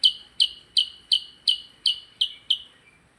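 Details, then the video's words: Percang bird singing actively, with a brisk, even run of eight loud, high chirps about three per second, ending in a faint short whistle. "Burung percang gacor"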